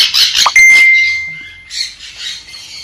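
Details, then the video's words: Piercing sun conure screeches: harsh rasping bursts followed by a long, steady whistled tone, then more ragged shrieks that fade slightly toward the end. "เสียงนกแก้วซันคอร์นัว Conure Sounds"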